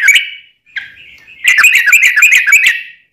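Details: Yellow-vented bulbul, a lively singing bird, with a long rapid 'ropel' style song: a brief whistled note, a short pause, then a dense buzzy chatter of quick harsh notes lasting over a second.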